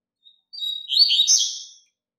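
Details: Tutor song of a double-collared seedeater, meant for teaching young birds: a brief soft note, then a high steady whistle breaking into a rich, buzzy, trilled warble that fades out after about a second.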